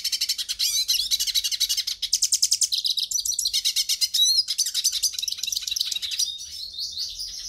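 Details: Hooded siskin song, played to warm up a captive siskin and get it singing: a fast, continuous, high twittering stream of rapid trills, chirps and buzzy phrases with no pauses, lasting the whole stretch.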